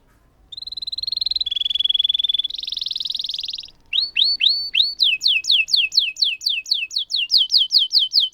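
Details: Canary delivering a long roll meant to stimulate silent canaries: sustained whistled and buzzy tones, then a pause, followed by loud repeated downward-sweeping whistled notes speeding up toward the end.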